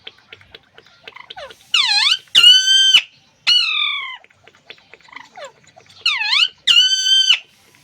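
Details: Alexandrine parakeet talking, filmed on an iPhone: a loud, ringing two-syllable phrase, a dipping note then a longer level one, said twice about four seconds apart. An extra drawn-out tone and soft clicks fill the gaps.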